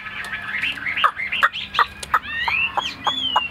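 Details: Caged male Chinese hwamei giving harsh, varied song notes broken by short sharp chucks, then clearer slurred whistles that rise and fall.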